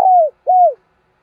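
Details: Decoy spotted dove cooing to lure wild doves: two smooth, low, mellow coos, each gently falling at the end, separated by a short gap.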